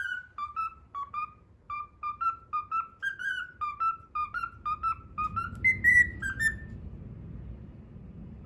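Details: Pet cockatiel indoors whistling the Pythagora Switch opening theme, a learned tune: clear whistled notes in a quick bouncing rhythm, mostly steady mid-pitch with a few higher rising notes, about two notes per second, low room hum beneath.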